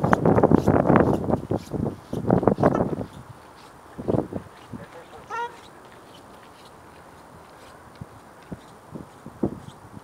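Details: Ruddy shelducks on Andreevsky Pond, 15 April 2017, give loud, nasal, honking calls in quick bursts for the first few seconds, then a few scattered calls amid quieter background noise.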